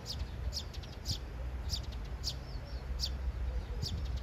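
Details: Three sparrows in a courtship triangle, two courting one; sharp high chirps in quick bursts spaced about half a second apart, plus a few soft arched notes, over low rumbling background noise.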